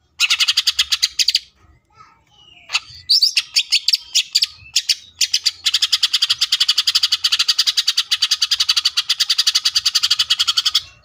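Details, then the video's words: Cucak ijo (greater green leafbird) in full 'tembakan' mode: long runs of very rapid, evenly repeated sharp high notes, a machine-gun trill broken by a few scattered chirps, then continuing steadily to the end. "CUCAK IJO FULL TEMBAKAN❗MATERI BANYAK MANA MUNGKIN IJO KALIAN TIDAK IKUT GACOR!"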